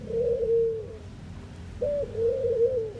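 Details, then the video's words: Eurasian collared dove in the Netherlands cooing: two low, soft, hollow coo phrases, the second opening with a brief higher note before settling into a wavering, drawn-out coo, over a faint low background hum. "Ringneckdove cooing, Collared call, dove sound"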